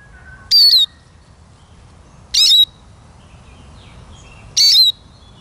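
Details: Three loud, buzzy chirps with downslurred whistled tails from a Eurasian siskin, about two seconds apart, over soft low ambient noise and faint distant twitters.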